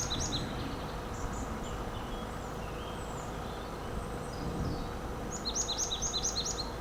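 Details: New Forest, England, March 2025: a marsh tit by trees gives bursts of high, paired chipping notes at the start and a quicker run of about six at the end, with faint distant bird calls between and a car engine droning behind.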